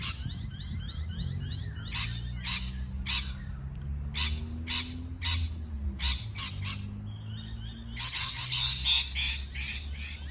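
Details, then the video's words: Parrot producing a jumble of harsh squawks and buzzy chattering notes at uneven spacing, growing denser near the end, while a low droning tone rises and falls in the background. "美丽的鹦鹉鸣叫beautiful parrot chirping sound call"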